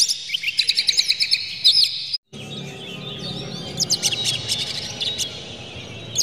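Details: Oriental magpie-robin song used as a lure to provoke other magpie-robins, the bird described as emotional and opening its tail: rapid high chirps and whistled slurs in dense bursts, broken by a brief silence midway.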